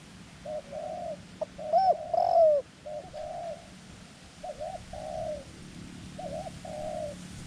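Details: Cooing of a white-clawed decoy dove with a small voice, calling to lure wild doves to a ground trap; paired short-then-long arched coos in loose series, broken around midway by a brief louder knock and rustle.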